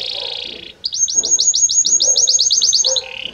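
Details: Belgian canary song: a buzzy roll, then a run of about fifteen rapid, repeated sweeping notes ending in a low buzz.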